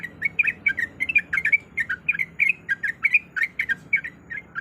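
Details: Female sooty-headed bulbul calling to the male, used as a lure to get silent birds singing: a steady chatter of short, bright, slurred notes, some rising and some falling, several each second, with a low hum underneath.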